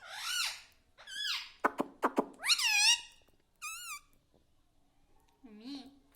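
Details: Home-kept talking parrot, said to say mummy, papa and radhe radhe: a string of arched, harmonic syllables mixed with sharp clicking pops, a wavering mid-pitched note, then a softer low call near the end.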